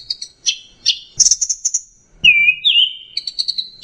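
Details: Tutoring song of a punglor (orange-headed thrush) with combined fill phrases: rapid chattering chirps, then a clear drawn-out whistle that rises and dips, followed by short repeated high notes.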